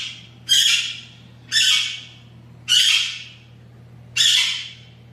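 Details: Blue-winged amazon (Amazona gomezgarciai), a newly described parrot species from Mexico known for its distinctive call, gives four harsh, raspy squawks, each about half a second long, repeated roughly every second, over a faint low hum.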